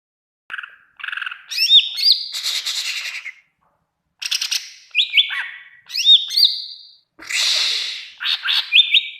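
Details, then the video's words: Greater green leafbird, a caged bird used as a training tutor for other songbirds, singing bursts of varied chattering notes, high whistled upslurs and buzzy slides, phrases separated by short pauses, with no other sounds. "masteran cucak ijo gacor pling cepat bikin burung cucak ijo nyaut"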